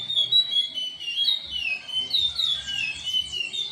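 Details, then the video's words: Chestnut-bellied seed finch, or curió, singing in the Timbira style; bright, sweet whistled notes sliding up and down in a continuous warbling phrase, loud and clean with little background. "curió Timbira vent violent"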